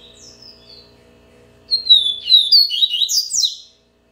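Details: Captive-bred Double-collared seedeater singing in the Bahia song style. A faint high descending whistle opens, then a loud run of clear, sliding whistled notes climbs and tumbles, ending abruptly with a low hum behind.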